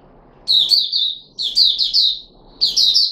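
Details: Red-whiskered bulbul of the form called Puteh Raja, a kept bird, recorded 13 April 2021 during a feeding trial with fruit juice and one mealworm. It gives three bright, warbled phrases of slurred notes, each under a second, separated by short pauses.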